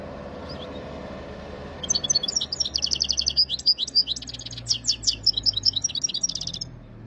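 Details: Recorded in Jijel, Algeria, a European goldfinch sings about five seconds of rapid, liquid, tinkling twitter, high-pitched and continuous, over steady low background noise.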